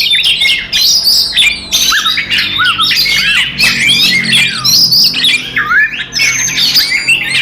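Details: Fighting song of an Oriental magpie-robin, played to agitate rival magpie-robins: harsh squawks mixed with looping whistles and buzzy chatter, delivered in near-unbroken bursts with short pauses.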